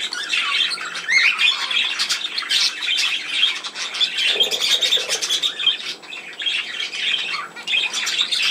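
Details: Budgerigar flock sound from 17 November 2024: continuous high warbled chatter packed with scratchy squawks and quick tweets, loud and unbroken, with a brief lower buzzy murmur near the middle.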